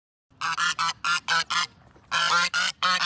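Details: Geese honking in a steady series of short, harsh nasal blasts, about one every quarter second, with a brief pause midway before the honks continue.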